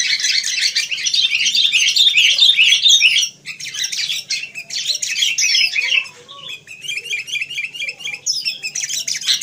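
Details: Wild sooty-headed bulbul in lively chirping: dense, continuous high twittering and chattering notes for three seconds, a brief pause, then more bursts of quick, varied chirps with overlapping phrases and faint lower notes beneath.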